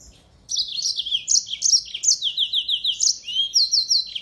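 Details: Actively singing yellow-fronted canary kept as a song tutor for white-eyes, delivering a continuous high twittering phrase of quick descending notes and short trilled runs, about three notes per second.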